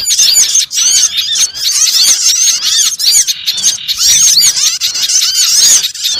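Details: Lure sound for catching small birds: a busy flock of high twittering calls, many rapid arched chirps at once, with clear thin whistled notes cutting through now and then.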